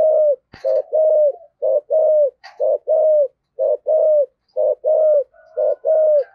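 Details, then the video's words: Spotted dove in the rare 'giọng thổ' style from Vietnam cooing in rapid, regular pairs, a short coo then a longer one, repeated about once a second, with a few sharp clicks or knocks in between. "tiếng cu gáy giọng thổ sấm thúc gù hàng cũng hiếm"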